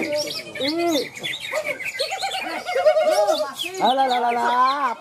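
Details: Green leafbird (cucak ijo) singing at a songbird contest in Malinau, North Kalimantan, Indonesia, where it won best of its class. Loud arching whistles and rich slurred phrases overlap other contest birds, with human voices faintly behind.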